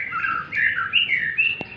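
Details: White-rumped shama out for morning sunning, giving a string of smooth whistled phrases that step up and down, with a single sharp click and a person's hushing sounds around it.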